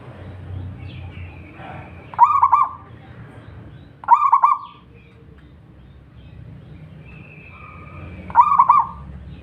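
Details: Local zebra dove (perkutut lokal) song: three short cooing phrases at uneven intervals, each a tight cluster of stuttered notes ending in a brief held tone. Faint low rumble between phrases.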